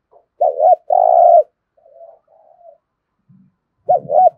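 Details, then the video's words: Spotted dove decoy calling to draw in wild birds: a wavering two-part note and a long low coo, soft muffled murmurs, then another double note begins. 'Thúc gù' cooing style. "cu gáy thúc gù giọng hay, chim cu mồi thục giọng hay hạp bổi"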